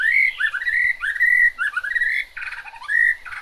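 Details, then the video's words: Chinese hwamei singing in the rain, lower-pitched here: rich, fluty whistled phrases, some held and some slurred upward, broken by short pauses and a rough burst. "Họa mi hót trong mưa"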